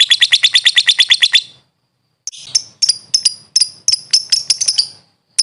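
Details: Lovebird song from a master recording for training birds: a quick burst of about ten shrill chattering notes, a pause of under a second, then irregular sharp high chirps in uneven clusters.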